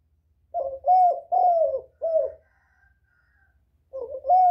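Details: Spotted dove cooing to lure other doves: four hoarse, mid-pitched coos run together over about one and a half seconds, a short silence follows, then two more coos, the last rising slightly.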